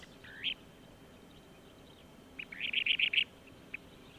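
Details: Kentish Plover call played as a reference recording during a live marsh broadcast from Urdaibai on 31 March 2021: a single rising note, then a quick burst of about six sharp, high 'pit' notes and one last note, over faint hiss.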